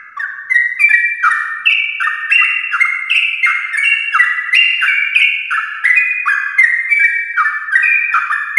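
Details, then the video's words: Morning song of a sooty-headed bulbul in long 'ropel' style, meant to prompt other bulbuls to join: a rapid, unbroken run of overlapping liquid notes that glide downward, steady and loud. "trucukan gacor ropel panjang Perangsang biar trucuk aktif ropel saat pagi hari"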